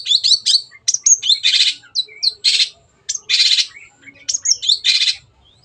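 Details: Long-tailed shrike in full song, played to encourage birds to sing: quick chirps alternating with harsh rasping bursts roughly every second, interspersed with short whistled notes.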